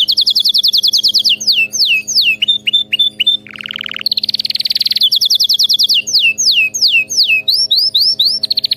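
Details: Canary song played for training a pet canary to sing nonstop: loud, unbroken run of fast high trills, sweeping downslurred notes and a brief lower buzzy phrase midway, then more rapid trilled rolls.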